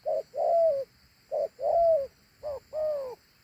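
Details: Large dove delivering its two-note coo three times in quick succession. A short note precedes a longer, strong, slightly falling one, and the final phrase is somewhat higher and shorter.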